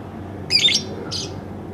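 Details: Household pet lovebird makes two quick, shrill chattering bursts about half a second apart, the first longer and squeakier, against faint indoor background hum.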